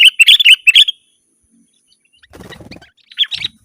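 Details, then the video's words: Sooty-headed bulbul chatter, gacor style for luring wild birds: a quick burst of four bright bubbly notes, a pause, then faint rustling and two softer notes. "Suara burung kutilang gacor"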